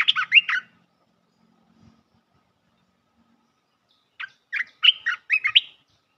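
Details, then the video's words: Lure call of a bulbul for trapping, aimed at a resident territory holder: two bursts of lively chirping, each a tight cluster of bubbling whistled notes, separated by about three and a half seconds of near silence. "Suara pikat merbah belukar"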